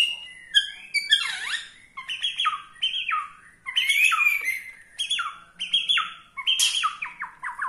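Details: Borneo-type white-rumped shama singing in a style said to provoke rival shamas: a varied run of loud clear whistles, with sharp upslurs, swooping downslurs and quick phrases shifting pitch every half second.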